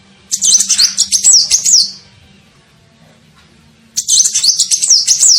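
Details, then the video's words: Sunbird (kolibri ninja) calling as a lure to attract birds. Two fast, shrill twittering runs of rapid high notes are separated by a pause of nearly two seconds. "SUARA PIKAT KOLIBRI NINJA"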